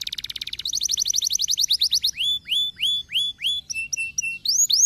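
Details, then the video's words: Canary singing, used to encourage lazy canaries to sing: opens with a very fast rattling trill, then a quick run of rising notes and a series of slurred upward-hooked whistles repeated about three per second. "La potente soluzione di uccelli canari pigri"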